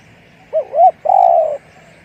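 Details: Spotted dove in the 'one-kook big voice' cooing style: a short looping double note, a brief pause, then a long, even, hollow coo that fades out, with faint low hum behind.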